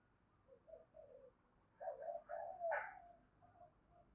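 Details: Spotted dove's "gọi hai hậu" cooing, meant to stir other doves: a few quiet soft coos, then a louder, rougher burst of throaty coo notes with a brief higher, strained edge, fading back to gentle coos.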